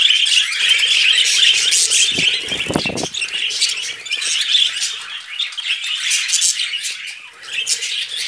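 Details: Budgerigars during mating fill the air with busy high twittering and squeaky warbling from several birds, plus a brief low fluttering thump of wings near the third second.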